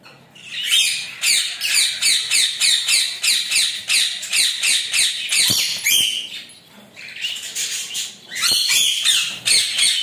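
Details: Rainbow lorikeet enjoying a shower keeps up steady, rasping screeches, about three a second, in two long runs separated by a brief lull near the sixth second.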